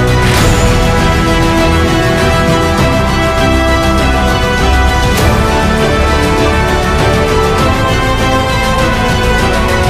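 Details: Loud, driving music with steady beats and layered tones fills the whole recording, and no animal sound can be picked out.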